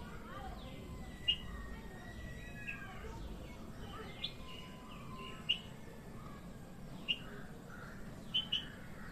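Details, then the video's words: Red-whiskered bulbul singing: short, bubbly whistled phrases in the middle-high range, with sharp chips every couple of seconds, over a steady low rumble of background noise. "Red whiskered bulbul sing to us"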